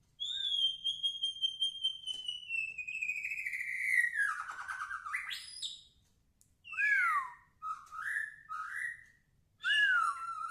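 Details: Lively song from a white-rumped shama. A long clear whistle glides slowly downward over about four seconds, then breaks into quick chirpy slurred phrases and a rich warbled flourish. The background is quiet.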